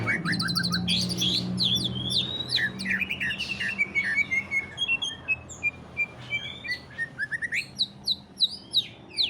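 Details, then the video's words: Greater green leafbird in ngentrok style, used to trigger singing in other leafbirds: a busy medley of chirps, whistles and rasping trills, then a fast string of sharp clicking notes about three per second toward the end. "CUCAK IJO NGENTROK | CARA PANCING BURUNG CUCAK IJO SUPAYA GACOR"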